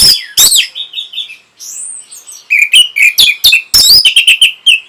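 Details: Orange-headed thrush song intended to excite breeding urge and draw a reply: loud opening notes, a soft gliding whistle, then a brisk repeated series of whistled phrases and sharp chips.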